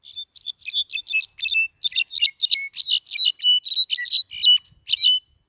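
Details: Pet European goldfinch known as 'La Maquinita', singing a rapid, continuous run of bright twittering and tinkling notes, with short buzzy trills and high whistles in quick bursts; no other sounds.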